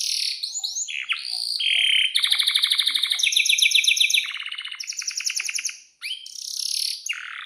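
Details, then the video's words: Vigorous canary song with long rolls: varied whistles and sweeping notes, then several rapid trills in a row, each at a different pitch, followed by further sharp whistled sweeps. "Kenari GACOR PANJANG"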